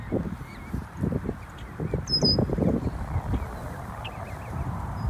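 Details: Protective adult geese give clustered rough, low honks and grunts, several in quick succession around the middle, then quieter, against constant background noise and thin high bird chirps.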